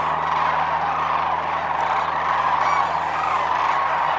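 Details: Huge wintering flock of sandhill cranes departing in the morning at Whitewater Draw Wildlife Area, southeastern Arizona; countless rolling calls blend into a continuous chorus, occasional clearer call standing out, low steady hum in the background.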